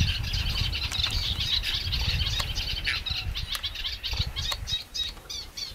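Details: Eurasian Reed Warbler in lagoon reeds delivering a rapid, jerky chatter of grating and chirping notes, about three or four per second, with occasional sharp clicks and steady low wind noise underneath.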